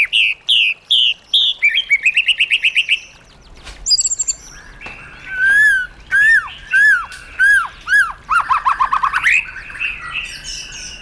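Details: White-rumped shama with forest-style song recorded for training caged birds: a repeated series of short whistled notes, a brief high buzzy burst, then ringing arched whistles repeated about every half second.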